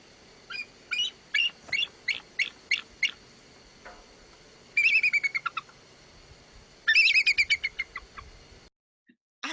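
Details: Bald eagle gives its smaller, trilling, laugh-like call: a spaced run of about eight thin, squeaky, high pips, then two quicker chattering trills that tumble slightly downward.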